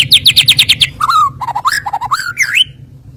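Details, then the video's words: Filler-song lure from a white-rumped shama, used to make rivals sing back: a quick burst of high repeated chirps followed by varied slurred whistles that rise and fall, ending on a rising sweep. "PANCINGAN ISIAN SUARA BURUNG MURAI BATU//DIJAMIN LAWAN LANGSUNG NEMBAK"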